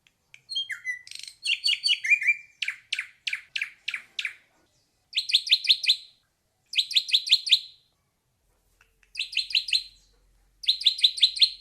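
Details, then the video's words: Ashy drongo song: a few downslurred whistles, then a run of short sharp notes about five per second, followed by bursts of rapid, bright, ringing chirps in tight groups separated by brief pauses; quiet background. "Suara Kicau Burung Srigunting Klawu / Abu-Abu"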